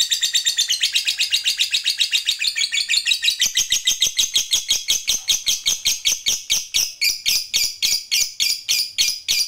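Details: Long ngekek chattering of a fighter lovebird, used as a provoking call for rival birds: nearly ten seconds of unbroken, high, grating notes that start as a dense blur and become distinct, quick, evenly repeated chips.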